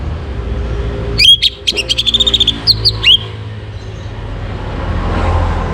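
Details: In the morning, an orange-headed thrush gives a fast medley of high, chattering notes and clear upslurred whistles, used to stimulate breeding condition. It ends with fainter rising whistles over a low background rumble.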